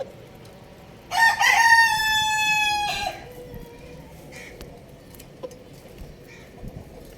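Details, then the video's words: Rooster crowing on a roof alongside a hen: one strong, richly harmonic crow of about two seconds, steady then dropping at the close, followed by quiet background with faint soft clucks. "rooster Crowing Sound"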